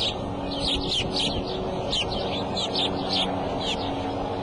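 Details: Bald eagle, the mother at the Decorah nest, calling on April 5 at 2:30 pm just before leaving: a series of thin, high, downslurred chirps, about ten in four seconds, over steady broadband rushing noise.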